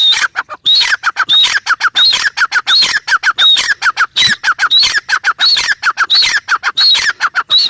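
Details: Grey francolin calling nonstop in a dense, strident stream of rapid harsh notes and repeated high whistled phrases, steady throughout about eight seconds.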